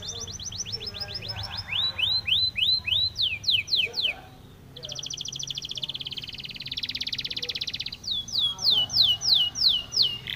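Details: Canary training song, labelled variously as Belgian, Spanish Timbrado and Lizard canary: fast rising whistled notes in rapid series alternating with long metallic trills and rolling tours, high-pitched and continuous.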